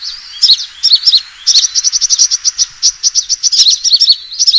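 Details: Lure recording of a sunbird fighting call: a few slurred high chirps open into a long, evenly spaced run of sharp tsip notes, about five per second, ending in busier twitters.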